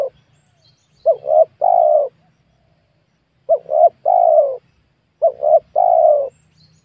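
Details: In a newly cleared small oil palm plantation where wild spotted doves were being lured, a dove gives three rhythmic phrases. Each has two short rising notes and then a sustained warm coo, with pauses of roughly one to two seconds.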